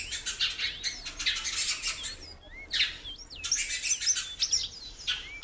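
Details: Female great-billed seed finch kept in captivity, calling a lot: short high whistled sweeps, some rising and some looping, mixed with dense bursts of harsh broadband chirps and rustling.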